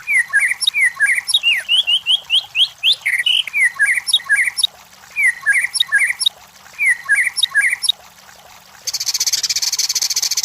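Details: White-rumped shama lure song for stirring competition birds: repeated phrases of rapid swooping whistles and chips with brief pauses between, ending in a loud high hissing buzz.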